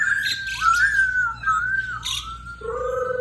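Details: Black-throated laughingthrush in full song: long clear whistled notes that glide and slur downward, one after another, ending on a lower steady tone, with faint background hum.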